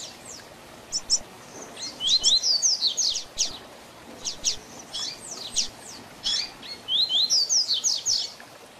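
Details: Tutor song of a double-collared seedeater in the tui tui zel zel style for young birds to learn. Fast, high, chipping down-slurs run into dense trilled phrases, with short gaps between the groups.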